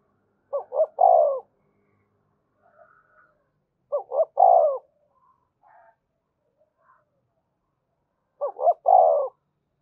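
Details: Spotted dove giving the urging 'thúc gù' coo used to stimulate and train caged doves: three phrases about four seconds apart, each two short clipped notes then a longer drawn-out coo, with soft faint notes between.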